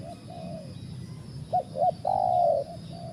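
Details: Spotted dove: faint earlier coos, then two brief clipped notes and a long, full, level coo trailing off, over steady low outdoor noise.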